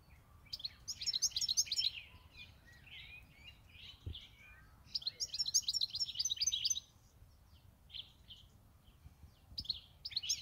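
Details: European goldfinch kept for eight years, singing in bursts of rapid, high twittering with liquid trills and buzzy notes. The two main phrases come near the start and the middle, with shorter fragments toward the end, over faint low background hum.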